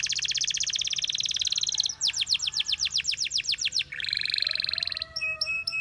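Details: Canary singing in a song used to train canaries: a fast, even, rattling high trill, then a slower series of sweeping whistled notes, then another rapid buzzy trill and a clipped final phrase.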